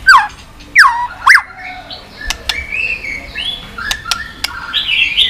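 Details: White-rumped shama song meant to stimulate pet shamas. Three loud, steeply falling whistled sweeps open the passage. A softer, wandering warble follows with scattered faint clicks.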